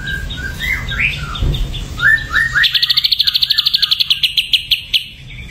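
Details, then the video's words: Ashy drongo said to be dosed with a supplement: a few high whistles and rising slurred notes, then a long, fast, even trill of high pulses, about eight a second, lasting over two seconds. "SRIGUNTING ABU KENA DOPING"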